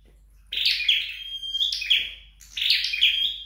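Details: A home-trained flowerpecker gives three bright chirpy phrases, each a buzzy flurry ending in a long, thin, steady whistle, separated by brief silences.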